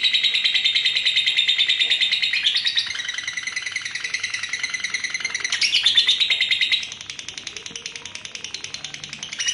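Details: Female lovebird singing a long rapid trill, pulsed high chattering with brief pitch jumps around the third and sixth seconds, softening toward the end before rising again.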